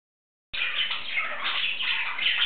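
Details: Male English budgie talking and singing to himself: two seconds of rapid, unbroken warbling chatter with scratchy high notes and brief whistles, no other sounds.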